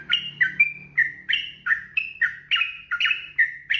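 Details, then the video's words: Trucukan, the yellow-vented bulbul, in continuous 'ropel' song meant for tutoring caged birds: rich, liquid whistled notes sliding downward, about eleven phrases in under four seconds, steady low background hum. "SUARA TRUCUKAN GACOR 2026 ROPEL PANJANG"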